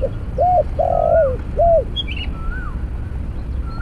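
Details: Spotted dove cooing during a snare-cage trapping session with a decoy: a short opening note, then two arched coos around a drawn-out middle note, with thin whistles from other birds above and a low background rumble.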